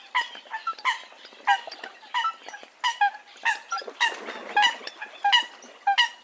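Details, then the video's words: A noisy run of Eurasian coot calls: abrupt, nasal honks and squeaky yelps repeated irregularly, about ninety a minute, with some overlap between birds and a brief rustling burst near the middle. "tiếng sâm cầm"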